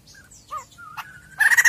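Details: White-crested laughingthrush, a vigorously singing bird, with recorded sound used as a lure to make a caged bird sing: brief clear whistled notes, including a long level whistle, ending in a loud harsh rapid chattering burst.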